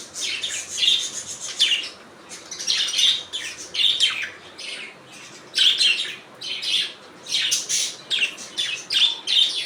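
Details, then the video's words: Budgies making their natural sounds: busy, scratchy chirping and squawky chatter, many short buzzy notes packed together in uneven groups over nearly ten seconds. "Budgies Natural Sound"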